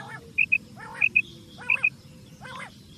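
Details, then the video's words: Quail (batair) call played as a hunting lure: paired short, high, clipped notes repeated about every 0.7 seconds, interleaved with lower, harmonic, voice-like sounds, over a low rumbling background. "batair hunting"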